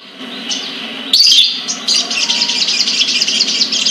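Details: ['Caged sunbird from a bird collection in Kebagusan, Pemalang, Central Java, Indonesia, singing: a quiet start, then a loud burst of high thin notes and a fast, continuous sparkling twitter for the rest.']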